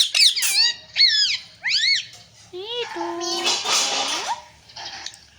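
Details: Talking parrot saying phrases such as "sita-ram" and "jay shree ram": a few rising and falling, speech-like tonal syllables, then a held steady tone and a rough, breathy burst.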